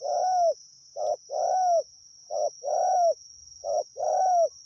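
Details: Spotted dove calling steadily while used to lure wild doves, low mellow coos in pairs, a short note then a longer, slightly falling one, three pairs about every 1.3 seconds, over a constant faint high hiss.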